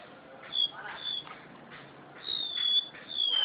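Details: Crested honeyeater kept in captivity, a Java-wide species, delivering thin, high whistles that glide level then dip, drawn out near the end, over faint background hiss and a few soft knocks.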